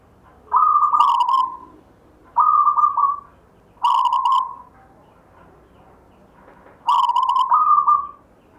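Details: Rhythmic gayer-style song of a local wild-type zebra dove (perkutut) passed down from a grandfather: four steady coo phrases roughly every one and a half to three seconds, some level and flat, others opening with a bright burst.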